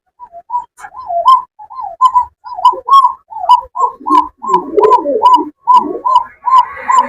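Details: Farm pigeons of Rajgolla and fancy types, kept with young in Kashimpur, Gazipur, Bangladesh, give a long run of short wavering coos that grows busier and louder, with deeper overlapping coos from other birds joining midway.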